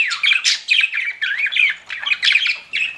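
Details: Pet budgie chirping in short rapid phrases of twisting, warbled notes with clicky squeaks, about a dozen bursts packed into a few seconds.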